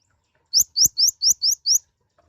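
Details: Sunbird known locally as kolibri ninja or konin, small and loud-voiced, giving six bright rising whistled chirps in an even series lasting just over a second, with a quiet background.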